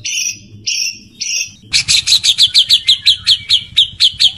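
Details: White-rumped shama, a male wooing a female during mating: three buzzy, broad chirps, then a quick, steady run of crisp high ticks repeated roughly eight times a second.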